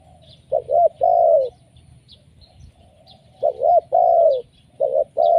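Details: Spotted dove giving a lure call: two quick coos and a drawn-out falling coo, repeated after a pause, with faint high bird chirps in the background.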